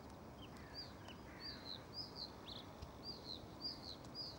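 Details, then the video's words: Repeated high, paired whistled notes of a European stonechat, about two per second, interspersed with a few lower, rougher chirps, set against steady low outdoor noise. "ЧЕРНОГОЛОВЫЙ ЧЕКАН"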